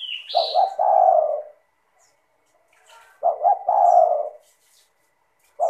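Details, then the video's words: Lure recording of a spotted dove in full song, clear and melodious: a brief high whistle, then deep cooing phrases of a double stutter and a long falling note, repeated after a pause. "LANGSUNG IKUT BUNYI dengan PANCINGAN suara tekukur gacor rapat merdu dan jernih"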